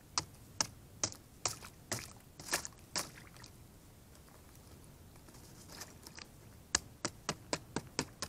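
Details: Sharp dry taps and cracks arrive in quick irregular bursts, with a quiet pause mid-way, over faint room hiss and no animal voice.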